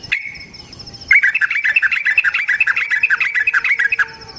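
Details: Trucukan, or yellow-vented bulbul, delivering a 'ropel panjang' lure song: a short drawn note, a pause, then about three seconds of rapid bubbly chirps repeated roughly twice a second, with a faint high whistle behind.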